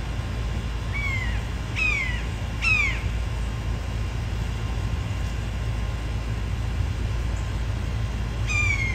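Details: A hungry immature red-shouldered hawk, recently fledged and still learning to hunt, gives four high, plaintive, down-slurred screams: three in quick succession, then one more after a pause, over a steady low rumble.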